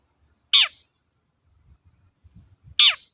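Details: Long-tailed shrike giving 'toet-toet' lure notes meant to stir trained birds into song: two loud, piercing, falling notes about two seconds apart, with soft low thumps in between.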